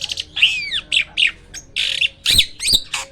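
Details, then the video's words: Loud song of a hybrid myna: harsh squawking notes and buzzy chatters alternating with clicks, delivered in short uneven bursts. "MISTERI JALAK HYBIRD ‼️ SUARA KERAS KICAU LANTANG ‼️"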